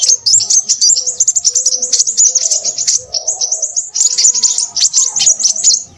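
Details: A crimson sunbird chatters loudly in quick bursts of thin, high chips and trills, the phrases separated by brief pauses.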